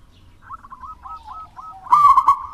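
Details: Zebra dove of a local wild strain, singing vigorously: soft, wavering coo notes falling slightly in pitch, ending in a loud, rich, rolling trilled burst.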